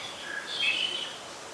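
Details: Black-collared Starling recorded in Ubon Ratchathani, Thailand, on 26 March 2021: a short, bright, whistled call with harsh overtones, peaking mid-phrase, over steady background hiss.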